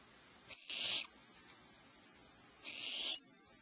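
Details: An owl mother flies to the nest cavity with medium prey at 04:47 PST; owlets give two harsh, noisy hissing screeches about two seconds apart.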